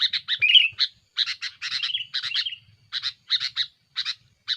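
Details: Sooty-headed bulbul in aggressive song to pressure rivals, used as a lure: scratchy chattering notes in clusters, a couple of short slurred whistles early on, then evenly spaced harsh single and paired notes.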